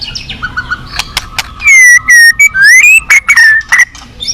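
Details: White-rumped shama at a song competition delivering ornate, mimicry-filled song: quiet clicks and low whistles, then loud pure whistled notes, a long rising slur and quick falling phrases.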